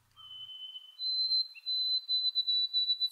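A White-throated Sparrow sings a clear, pure whistle that steps up to a higher, long-held note. It pulses faintly toward the end, with no other sounds.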